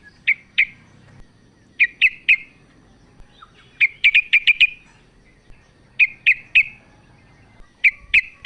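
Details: Female sooty-headed bulbul calling to the male: scattered groups of two to six crisp chirps, repeated irregularly over eight seconds in quiet surroundings.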